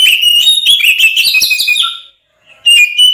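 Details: Oriental magpie-robin singing to provoke others into combat: a run of bright whistles and rising slurs, a short gap, then another clear whistled phrase.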